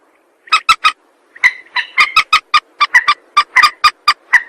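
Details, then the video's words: Rail used as a trapping lure, giving a quick triple cluck followed by a longer series of sharp, evenly spaced nasal clucks with a slightly rough, buzzy edge. "Suara pikat burung mandar"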